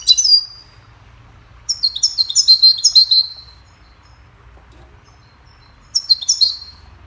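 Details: Goldfinch singing a cheerful melody used to teach other songbirds: three bursts of rapid, high twittering notes, the long middle phrase a run of quick, jangly chirps, with quiet pauses between.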